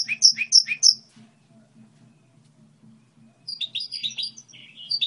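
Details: Goldfinch hybrid song model: three loud, sharp high chirps, then a quiet stretch with only a low background hum, followed by fast tinkling twitters and short trilled notes.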